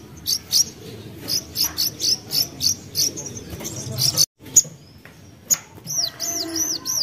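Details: Young common iora (sogok ontong) singing as a lure: a steady series of short, high, clipped notes, then looping whistled notes rising and falling near the end.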